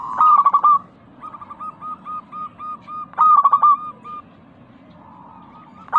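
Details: Local zebra dove cooing, used as a lure to prompt pet doves that have stopped or are reluctant to sing: bursts of rapid, staccato, bubbling coo notes, two loud clusters separated by softer, evenly spaced notes, with faint background hiss.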